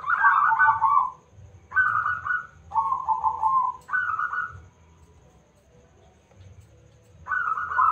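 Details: Local zebra dove, loud-voiced, used as a lure to make other birds answer; a series of short, bubbling, trilled coo phrases, each about a second long, given in quick succession, then a pause before another begins.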